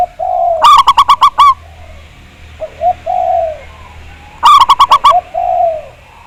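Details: Lure recording of a local Javanese zebra dove with a big voice. Two bursts of about six rapid, ringing notes, each joined by a low, descending coo, with short soft coos in between.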